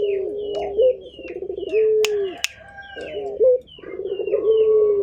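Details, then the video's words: Turtle dove calling actively: low, mellow rolling coos in drawn-out phrases with a brief pause between them, while small birds chirp thin, high notes in the background and a couple of sharp clicks cut in. "Burung Puter Gacor"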